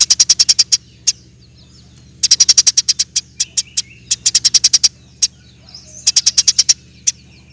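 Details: Eurasian tree sparrow singing in the dense 'nembak rapet' manner for songbird training: several rapid trains of sharp high chirps with scattered single notes between them, accompanied by a steady low-pitched hum.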